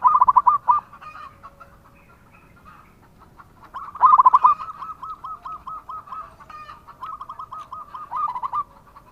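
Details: Singing local zebra dove: a brief fast trill, a pause of several seconds, then a long rolling phrase of evenly spaced soft cooing notes ending in a stronger burst.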